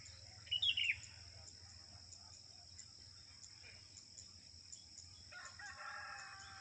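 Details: A female sooty-headed bulbul calling to attract a male gives one short, bubbly, falling phrase near the start, then a lower drawn-out call near the end, over a steady high electronic hum.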